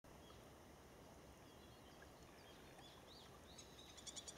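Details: Crested kingfisher calling as it dives from a rock: a burst of sharp, rapid, rattling notes near the end, over a steady roar of rushing water.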